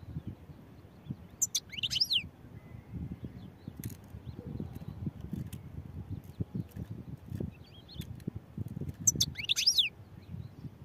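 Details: European goldfinch singing: two short bursts of bright, sweeping twittered notes several seconds apart, with steady low rumbling background noise between them.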